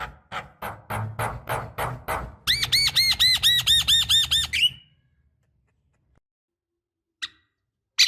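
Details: Female Javan myna calling males, used as a lure for young birds: a series of harsh rasping notes, then a fast run of ringing arched notes about six per second, followed by near silence and a single chirp.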